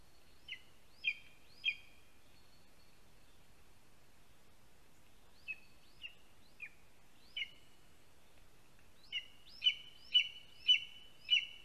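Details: Lesser spotted eagle at a nest in a spruce in Latvia, adult bringing a huge frog to the chick, morning of 10 July 2020; short high piping calls in bursts, three, then four, then five louder notes about half a second apart, quiet background.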